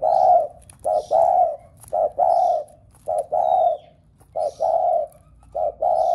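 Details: Spotted dove calling to stimulate other doves to coo: a rhythmic run of about five low phrases, each a brief hoot then a longer steady coo, about a second apart, with faint high chirping behind.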